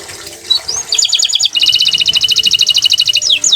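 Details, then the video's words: Green canary song opening with a rising whistle, then a fast, even rattle-like trill of bright notes, ending in downward-sliding whistles. "Suara Merdu Burung Kenari Hijau Botol"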